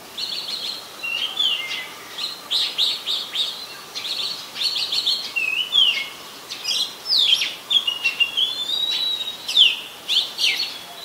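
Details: Oriental magpie-robin, a very common resident, recorded in Ubon Ratchathani, Thailand, on 24 December 2020 with a Nikon P1000; varied song of short chirps, clear whistled notes and sweeping slurred phrases, repeated in bursts with brief pauses.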